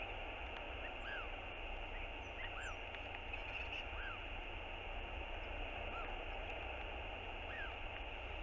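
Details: Northern royal albatross chick begging its father for food on a nest camera, 7 March 2022. Five short arched whistles rise and fall, spaced every second or so, over a steady roar of wind.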